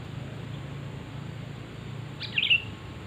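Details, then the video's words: Single quick bubbly chirping phrase from a sooty-headed bulbul, the call used to lure birds, coming near the end after a stretch of low rumbling background noise. "Suara asli kutilang untuk pikat pasti nyaut"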